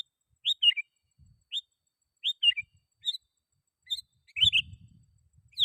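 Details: Sooty-headed bulbul calling to rivals, meant to lure wild bulbuls: crisp, rising chirps and short bubbling doublets spaced about every half second, with a soft low rumble under one phrase.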